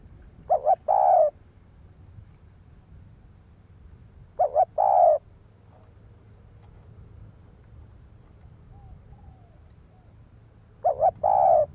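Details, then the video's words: Spotted dove cooing to rouse other doves. Three brief phrases about six seconds apart, each of two quick hoots and a longer, slightly falling coo, with a low steady hum behind. "Tiếng chim cu gáy kích bổi"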